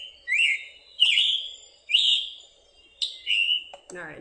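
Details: Scarlet Tanager song, like a robin with a sore throat, with its chick-burr call: four hoarse, burry notes about a second apart, each rough and slightly rising. A man's voice murmurs faintly underneath and cuts in at the end.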